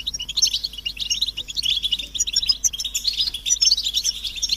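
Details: Group of European goldfinches giving mating and readiness calls to prompt males to sing; rapid sweet chirps and buzzy twitters overlap steadily over a low constant hum.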